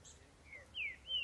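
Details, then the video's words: A green-winged saltator singing free in the woods gives clear whistled notes, a short one then two louder notes sliding downward, over faint background hiss. Green-winged saltator. "PIXAROboiadeiro cantando livre na mata"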